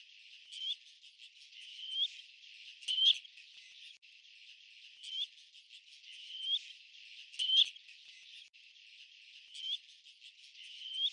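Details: Black-necked grebe (Podiceps nigricollis) giving short, rising whistled notes every two seconds or so, over a steady high hiss of insects.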